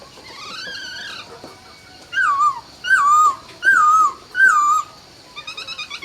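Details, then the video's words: Laughingthrush at dawn gives a soft warbled phrase, then four loud wavering whistles, each falling in pitch, spaced under a second apart. "Chào Bình Minh | Nghe Tiếng Chim Khướu Hót Cực Hay"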